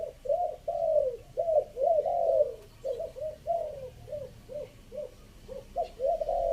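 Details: Three-note coo of a spotted dove from Chiang Mai, used for decoying: a string of low, mellow, arching coos, some drawn out and others short and clipped, repeated roughly twice a second over a soft, murmuring background.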